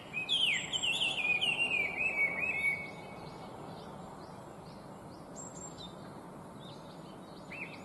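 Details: Chinese hwamei, an invasive species, opening with a loud, rapid warbled run of descending whistles, then falling quiet with only faint, distant whistled notes afterwards.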